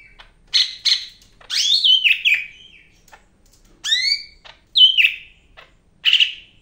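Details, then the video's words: A Medan-type greater green leafbird in full song, trilled whistles, descending slurs and sharp swept notes arriving in lively bursts with brief silences. "BURUNG CAK IJO MEDAN GACOR NGAMUK"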